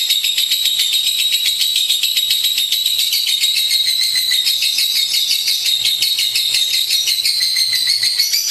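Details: Energetic lovebird chatter in 'gacor' style: a high, rasping stream of rapid notes over an unbroken thin whistle that rises gently near the end. A faint low hum is heard in the background.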